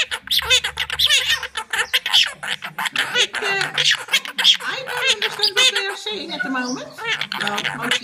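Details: Monk parakeets in a noisy mood, giving a dense, continuous stream of harsh, rasping squawks and chattering notes that overlap and rise and fall rapidly, with some speech-like chatter and a low hum in the first second and a half.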